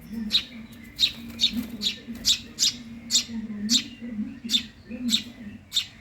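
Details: A hungry young Eurasian tree sparrow begs with sharp, high chirps in quick irregular succession, about twice a second, over a faint low droning background.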